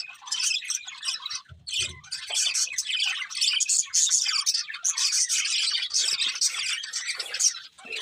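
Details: Budgerigars singing while feeding: long, dense run of high, scratchy warbles and chirps from several birds, with a short low rustle early on.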